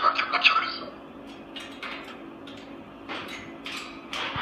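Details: At night in a dark indoor room, a male Moluccan cockatoo talks in a loud, harsh voice, opening with a strong burst and followed by several quieter, breathy, speech-like phrases.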